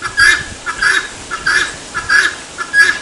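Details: A helmeted guineafowl repeats its 'tô fraco' cry, a rasping, scratchy double note given in a regular cadence roughly every two-thirds of a second, loud and close.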